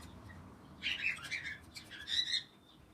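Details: Parrot giving a short burst of high, chattering chirps and squeaks over about one and a half seconds, with two separate clusters of sharp notes against quiet background hiss.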